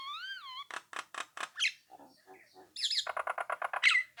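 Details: A Nias hill myna sings to lure rival birds into calling back: a wavering whistle opens, followed by harsh pulsed notes, soft low murmurs, then a fast buzzy series topped by a bright whistle.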